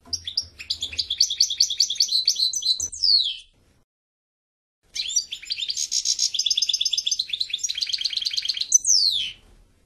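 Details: European goldfinch song: two long bursts of rapid, tinkling, twittering notes with buzzy trills, each phrase lasting about three to four seconds and ending in a sharp descending slur, separated by a short silence.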